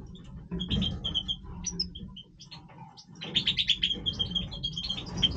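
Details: European goldfinch of the Major type giving its breeding song: rapid twittering of liquid, tinkling notes and short buzzy trills, with two louder bursts separated by a quieter pause, over a steady low hum.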